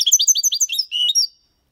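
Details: Brief Copia Málaga style song of a European goldfinch, a clean tutor recording for young birds: a quick series of liquid high twitters closing with a slightly longer buzzy slurred note.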